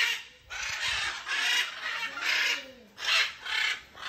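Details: Macaws at a zoo in Trinidad: harsh, raspy screams in loud bursts about every second, broad and grating, with a faint lower voice or background murmur between them.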